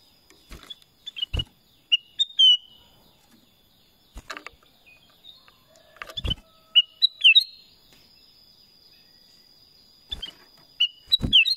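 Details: Kutilang emas (black-crested bulbul) singing sparse groups of whistled, slurred notes every few seconds, joined by loud sharp clicks and a thin steady high whine in the later part.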